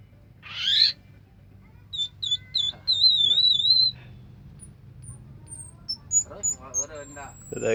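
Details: Orange-headed thrush in extended song: a loud rasping burst, then a run of sweet wavering whistles held for about two seconds, followed by thin high notes and a scratchy, buzzy chatter near the end.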